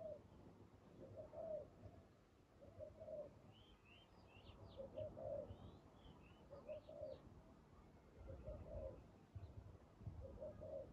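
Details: Spotted dove at a trapping site with a decoy, giving soft, low cooing phrases of two or three notes, repeated about every one and a half to two seconds, while small birds chirp thinly in the background.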